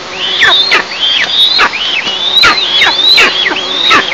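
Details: Eastern imperial eagles at the nest on a July 2024 morning, picked up by a nest camera; loud, dense run of high thin whistles with sharp downward tails, nearly continuous for four seconds.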